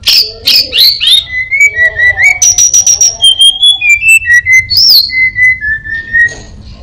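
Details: Orange-headed thrush, a caged songbird, singing a varied mimicking song: clear whistled slurs and notes around the high-middle range, some rising and falling, in a quick irregular sequence with short pauses.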